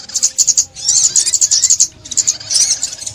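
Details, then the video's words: Sunbird song for trapping: high, rapid chips in short clusters, then a longer jumbled twittering phrase and a final burst after a pause near two seconds. "Tiếng Chim Ốc Mít"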